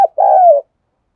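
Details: Spotted dove from Đồng Nai, Vietnam, used as a lure to excite decoy birds. A brief clipped note leads into a single sustained, purring coo that slowly falls in pitch.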